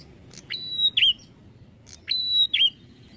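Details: Bar-winged prinia (Prinia familiaris), song.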